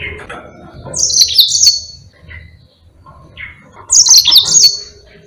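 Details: Song of a yellow-fronted canary used as a tutor for other birds. Two bright, high twittering phrases roughly three seconds apart, separated by softer scattered chirps and low background hum.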